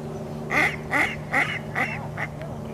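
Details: Wild Wilson's snipe on the Salmon Creek trail, Vancouver, Washington, giving a series of hoarse, nasal calls, one roughly every half second, fading toward the end over a low steady background hum.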